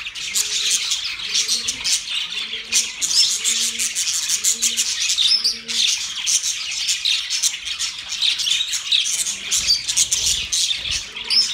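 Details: Budgies singing while mating: busy high-pitched warbling chatter from several birds, with soft low cooing notes repeated about every half second beneath the chatter for most of the stretch.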